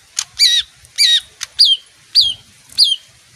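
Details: Leafbird, a bird that sings on hearing music: a few rich, ringing notes that swoop down in pitch, separated by short clicks, roughly two per second.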